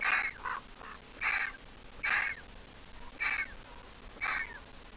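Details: Grown Griffon vulture nestling, ringed in July 2023, still squeaking. It gives coarse, rasping squeals, some followed by a softer lower note, spaced about a second apart.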